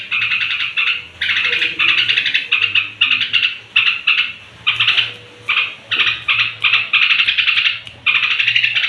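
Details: Bedtime song of a straw-headed bulbul, played to provoke other bulbuls: loud, bubbly warbled phrases about half a second long, repeated in quick succession with short gaps.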